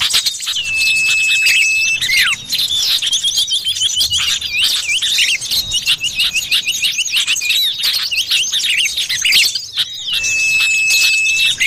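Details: Lure recording of a common iora in forest: a sustained flat whistle is heard near the start and again near the end, between long stretches of busy, high-pitched chirps and trills from a crowd of birds.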